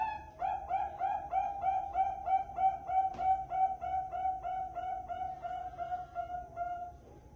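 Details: Zebra dove lure for trapping: a long, very regular run of quick, evenly pulsed coo notes over a steady background hum, slowing slightly toward the end.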